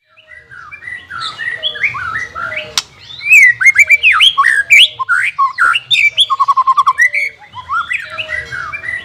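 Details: White-rumped shama song used for training a bird reluctant to sing: varied loud whistled phrases, rising and falling sweeps, a rapid trill near six seconds and a sharp click.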